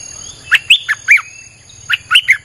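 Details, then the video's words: Streak-eared bulbul song for luring wild birds: two quick bubbly phrases of three to four slurred chirps each, separated by a short pause, over a faint hum. "เสียงนกดอกแตงEp.159จ้าวขุนศึก สับดอกแบบไม่พัก!!ใช้เปิดล่อนกป่า Suara pikat merbah lekir"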